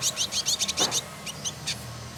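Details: Singing male trotol, the village indigobird, Bandung in West Java, Indonesia: a rapid run of buzzy, scratchy chirps that slows into a few separate high chips, with a low hum beneath.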